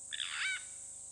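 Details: Purple Roller, one of a pair at Hyena Pan in the Khwai Private Reserve, Okavango Delta, Botswana, caught on a wildlife camera: a single harsh, rasping call about half a second long, over a steady high electronic whine.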